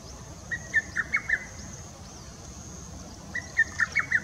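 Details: Song of a lesser cuckoo (Cuculus poliocephalus) recorded on 2017-06-22: two rapid bursts of five or six emphatic whistled notes, about three seconds apart, over a constant high-pitched background drone.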